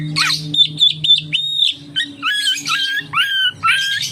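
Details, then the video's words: Oriental magpie-robin song used to prompt other magpie-robins to sing: clipped high whistles, a long sustained tone, then repeated rising-then-flat slurred whistles about twice a second, over a low hum. "suara burung kacer untuk penarik / pancingan kacer gacor santai"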